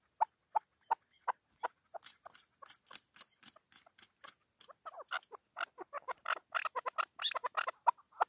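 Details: Chukar partridge, a hunting decoy bird (shikari chakor), singing: short clipped chuck notes repeated about three times a second, building into a dense, rapid, excited chattering run of overlapping harsh notes; quiet background.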